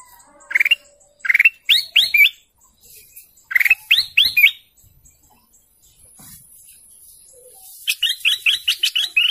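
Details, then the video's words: Song of a golden canary: groups of quick rising chirps in short phrases separated by pauses, ending in a rapid even series of about eight repeated bright notes. "GOLDEN CANARY BIRDSONG"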